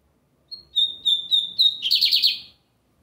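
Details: Sunday singing of a bigodinho americano, the lined seedeater: a brief high lead note, several even whistled notes, then a dense grating trill lasting about half a second.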